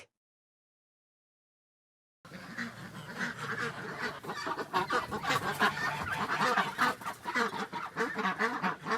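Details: Farm ducks after a moment of silence: a dense, noisy chorus of overlapping quacks and nasal calls from several birds, growing busier toward the end.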